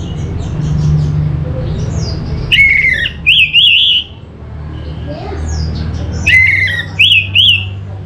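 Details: Orange-headed thrush, a kept bird from Singaraja, North Bali, Indonesia, singing: short whistled phrases of rising and falling notes around two seconds apart, with a low steady hum beneath.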